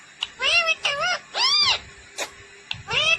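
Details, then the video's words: Ringneck green parrot (rose-ringed parakeet) talking: five short high-pitched, speech-like phrases with arched, wavering tones, separated by brief pauses and a few sharp clicks. "Natural Sound of Talking Ringneck green parrot"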